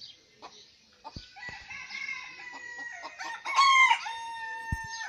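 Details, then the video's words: Morning crow of a rooster: quiet scattered clucks, then a long drawn-out crow that builds and peaks in a loud, strained, harmonic final phrase before trailing off. "Rooster morning"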